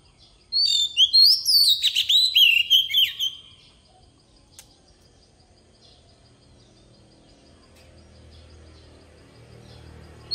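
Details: Oriental magpie-robin decoy singing wild-style song to train young birds: a three-second burst of loud whistles, trills and twisting chirps, followed by quiet with a faint regular high ticking and a low rumble late on.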